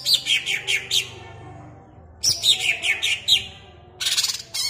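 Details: Greater green leafbird kept in a cage, in Ampelgading, Malang, singing quick runs of bright descending chirps, two bursts of several notes each, followed by a dense scratchy chatter near the end.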